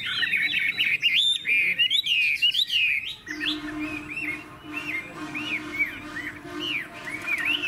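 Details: Chinese hwamei in a cage in Vietnam delivering loud, rich song, with tumbling whistled phrases at first, then spaced upswept whistles over a steady low hum.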